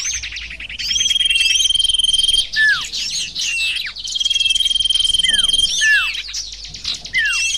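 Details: Sirtu birds calling in a lure track: a long high whistle held over a rapid buzzy trill, twice, with scattered twitters and a few clear descending notes between and after.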